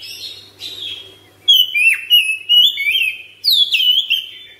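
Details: Caged Oriental magpie-robin kept at home, singing in the rapid ngropel style with long breath: loud, clear whistled phrases with sliding, rising and falling notes, separated by short pauses, over a faint low hum.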